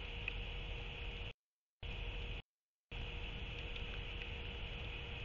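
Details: Continuous hiss and low rumble, cut by two short silent gaps, with no animal voice.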